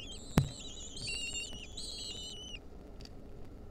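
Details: Wild lesser kestrel chicks beg while their mother feeds them a mouse, 2023: a sharp knock, then a run of high, level, slightly wavering whines for about a second and a half, with steady low rumble behind.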